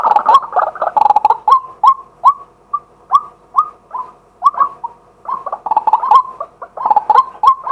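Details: Male White-breasted waterhen calling as a daytime decoy, recorded live with a set-up camera: dense, overlapping runs of short hooked notes near mid pitch, partly merging into a rapid stuttering chatter.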